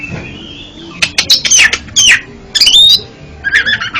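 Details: Oriental magpie-robin song played as therapy for a kept bird that stutters, mixing sharp broadband chips with whistled rising and falling phrases, loud bursts between brief pauses, faint room hum beneath.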